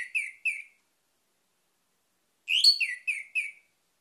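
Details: Lure song of an orange-headed thrush, meant to set other birds singing: two short slurred whistles, a pause of nearly two seconds, then a richer phrase of five rapid, warbled notes with bright upper overtones, in clean silence.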